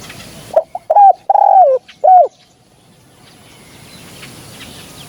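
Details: Spotted dove recorded for luring the birds in hunting: one phrase of quick clipped notes, a long falling husky coo and a short end note, followed by several seconds of quiet hiss.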